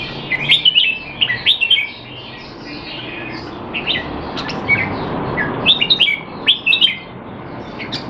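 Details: Caged red-whiskered bulbul, Singapore, 25 December 2020, trained to keep sharp though not in form: repeated cheerful warbled phrases of fast whistled slurs, bursts coming every second or so with quieter gaps, steady hiss behind.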